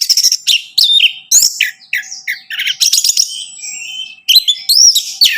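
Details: Orange-headed thrush singing, played to prompt a captive bird: a continuous medley of sharp whistles, downward slurs and rapid chattering trills, varied and loud throughout.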